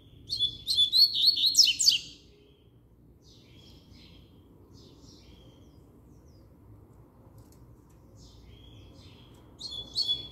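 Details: Double-collared seedeater singing firmly: a loud two-second burst of quick, high warbling notes opens the recording. Long near-silence follows, with scattered faint notes, and a short loud phrase returns at the end.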